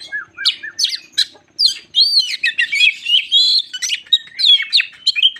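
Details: Crested magpie-robin giving an excited lure song to rile other birds: varied whistles and buzzy chirps, growing denser and more rapid after a brief pause, with a faint low hum at the start.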